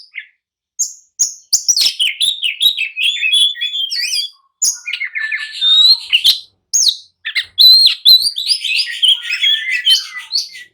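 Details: Agitated oriental magpie-robin song meant to provoke rivals into answering and fighting: varied whistles, sharp slurred notes and rapid chattering phrases in bursts separated by short pauses.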